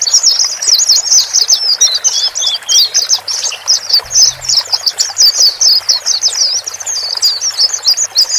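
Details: Male and female white-eyes chatter continuously in thin, high, overlapping twitters and trills, several birds calling at once without pauses, played to help a newly bought caged white-eye adapt.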